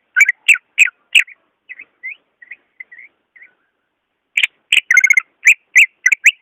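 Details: Greater green leafbird singing in its own voice, a lure for leafbirds reluctant to sing: loud, clipped high chirps, then a series of soft, short whistles, then a burst of rapid, buzzy chirps and trilled notes.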